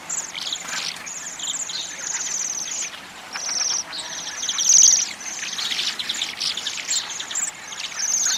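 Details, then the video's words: Chorus of waxwings, many high trilled calls overlapping without break, with scattered sharper notes and a steady noisy background. "Свиристель. Голоса птиц"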